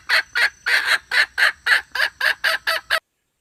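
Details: Red junglefowl hen, wild, giving its male-attracting call: about eleven loud, raspy clucks in quick succession within three seconds, steady in pitch and strength, then an abrupt stop.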